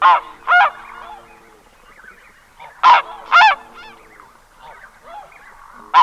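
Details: Single red-breasted goose calling at medium close range, with water splashes and wing flaps noted nearby: sharp, shrill two-note honks, paired about half a second apart and repeated roughly every three seconds, over faint, softer murmuring notes between.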